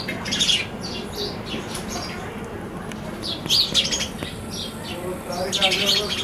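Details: Chirping sparrows at a balcony: bursts of harsh, bright notes near the start, another cluster in the middle and a final run near the end, with quieter gaps of low background noise between.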